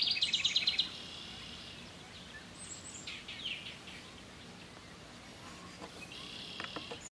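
A house wren gives a quick, bubbling burst of high notes lasting under a second, followed by faint distant chirps and ticks from other birds.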